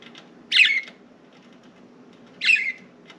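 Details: Indoor pet budgerigars at liberty outside the cage, on window blinds, four birds in all; two rasping, buzzy chirps about two seconds apart, faint clicks between.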